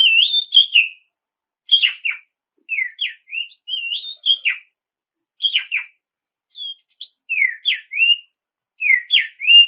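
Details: Kacer, the Oriental magpie-robin, singing to draw rivals into song: repeated short whistled phrases, each a quick down-slurred figure, spaced about a second apart in an otherwise quiet recording.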